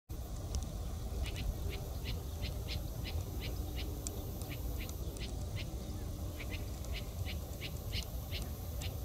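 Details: A white-spectacled bulbul in Manavgat on 4 July 2015 gives a steady run of short, sharp high notes, about three or four each second, over a heavy low rumble of wind or traffic.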